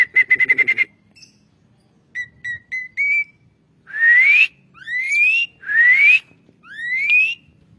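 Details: Asian pied starling sound used as a training recording for songbirds: a fast trill of short notes, three spaced whistled notes, then four loud rising whistles alternating in tone, roughly one per second.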